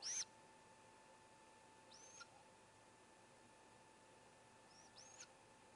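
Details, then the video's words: Great gray owl owlets, four in the nest, one seeming to cheer the youngest swallowing a vole; a loud high screech at the start, then fainter thin screeches near two and five seconds. "Great Gray Owl - 3 Cheers Youngest Swallow Whole Vole"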